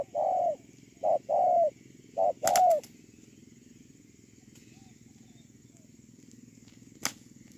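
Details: Spotted dove serving as a ground decoy, 8 October 2018: a few mellow two-part coos, short hoot then longer note, in the first seconds, then quiet with scattered clicks and taps.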